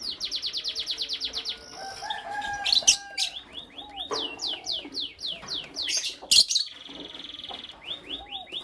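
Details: Lovebirds of Creamino and Lutino Opaline colouring chirp in the morning, with a loud pulsing trill, scattered harsh bursts, long series of quick falling shrill notes and a few soft lower whistles.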